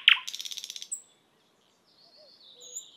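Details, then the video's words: Thrush nightingale song: a sharp opening note, then a fast dry rattle of about a dozen pulses lasting under a second, followed by near silence and faint high thin notes. "Sounds of Nightingale, Thrush Nightingale Sound Compilation, The Most Beautiful Bird Song"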